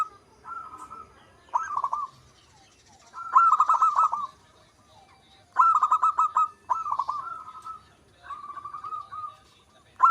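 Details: Local zebra dove singing steadily, giving six separate bursts of rapid, trilled cooing notes at a mid pitch, each burst lasting about a second with short quiet gaps between.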